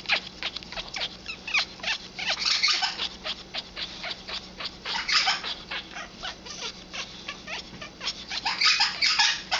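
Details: Eleven-year-old female Congo African grey parrot showing hormonal mating behaviour: steady, fast dry clicks punctuated by several louder, harsher rasping bursts, indoors.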